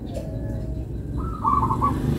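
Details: Melodious local zebra dove song: after a faint low whistle, a short rising coo leads into a bubbling trill of quick, even notes, heard against steady low rumble.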